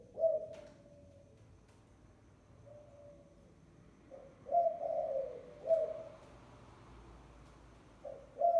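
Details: Spotted dove giving a lure call of low soft coos, faint short coos early, then stronger drawn-out cooing phrases spaced a few seconds apart, with occasional clicks.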